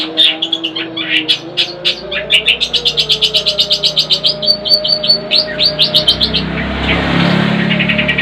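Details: Pet long-tailed shrike in song: mixed chirps leading into a fast, even series of sharp ticking notes about four per second, ending as a rushing noise takes over near the close.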